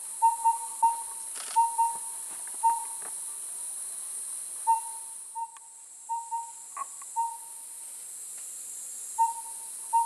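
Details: Collared owlet at a nest during incubation in the breeding season, Liuyi Mountain, Taiwan, 11 May 2019: mellow, evenly pitched whistled toots in loose pairs and threes, about every second, over a steady high insect hiss.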